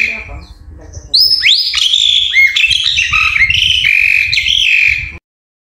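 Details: Ashy drongo song meant to stimulate caged birds into singing: after a soft start, a loud burst of clear whistles, downward-slurred and upward-swept notes and chattering phrases, ending abruptly in silence; low rumble beneath.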